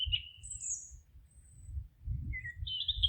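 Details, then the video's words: In a forest, a few birds give sparse high whistles: a short note, then a long thin high whistle, a pause, and two more whistled notes near the end, over a soft low murmur. "Forest relaxing sounds of singing birds"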